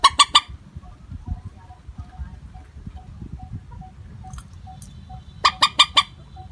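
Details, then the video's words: Common moorhen (mandar batu) lure call without tonal variation: a loud burst of three harsh clucking notes, silence with faint regular pips, then another triple burst. "Suara panggilan burung mandar batu.tanpa pariasi nada panggilan.#common moorhen"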